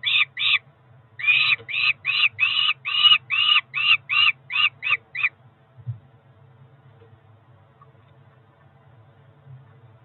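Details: Peregrine falcon chicks at Cromer, June 2023, aged about four weeks, calling at breakfast: a fast series of short harsh yelps, roughly three per second, stopping after five seconds, leaving only a low hum and a soft thud.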